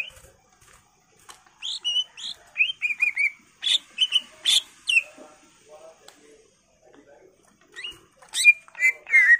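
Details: Greater green leafbird in lively, highly excited song full of varied phrases, used to prompt other leafbirds into singing: bursts of high whistled and buzzy notes with quick slurred phrases, broken by short pauses, then a loud final run.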